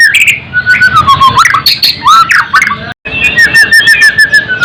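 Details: White-rumped shama singing, from a recording used to tutor and excite caged birds. Mellow whistles slide downward, with scattered sharp chips and a brief break near three seconds. It closes with a long gently falling whistled line.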